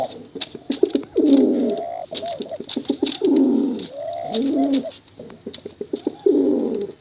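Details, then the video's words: Pigeons, male and female, in contest-style cooing used to lure young pigeons; dense overlapping low burbling coos and swooping hoots continue almost without pause, with scattered clicks. "Suara Bekuran Burung Merpati Lomba Hutan Dara Durasi Panjang"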